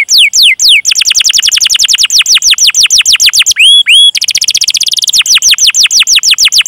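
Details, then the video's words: Canary song recorded as a long, lively 'cuit cuit' rolling training lure to prompt young, untrained or non-singing canaries. Rapid series of bright, whistled downward-sweeping notes repeats several times a second, with a brief pair of rising whistles midway. "Masteran Suara Burung Kenari Gacor Panjang cuit cuit Ngerol untuk Pancingan Kenari!"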